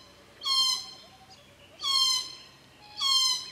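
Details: Glossy black cockatoos visiting Casuarina trees at a feeding ground and nursery at Cootharaba in the June to September season: three long, grating, slightly descending calls roughly every 1.3 seconds, with a faint hiss of background between them.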